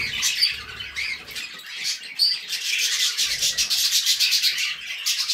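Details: Budgerigar song with uneven bursts of grating, rasping chatter and sharp squeaky chirps, pulsing in quick rough beats and growing busier toward the end.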